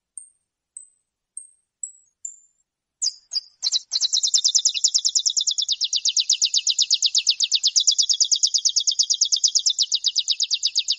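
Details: Saffron finch of the "metralha" song style, recorded for teaching captive birds: five thin high whistled notes spaced about half a second apart, then a long rapid machine-gun-like trill of buzzy notes lasting over seven seconds, clean background.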